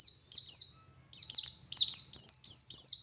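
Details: Local West Java Oriental white-eye from Garut in full song: quick high downward-sweeping chirps in two bursts separated by a short silence.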